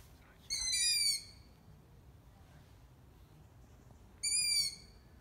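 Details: Two high, thin, squeaky calls from young long-eared owls of a just-fledged brood in Ermelo, Netherlands, each about half a second long and about four seconds apart, like a creaking gate; the background is quiet.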